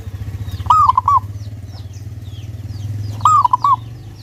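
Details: Local zebra dove used as a lure to make others sing, voice clear and energetic. Two bubbling cooing phrases come about 2.5 seconds apart, each a fast run of soft notes ending in a drawn coo. Faint bird chirps and low hum behind.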